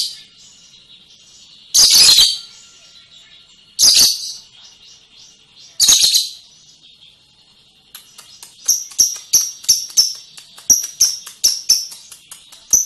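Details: Lovebird ngekek song: three loud rasping chatter bursts about two seconds apart, then a fast run of sharp clicks with brief falling whistles.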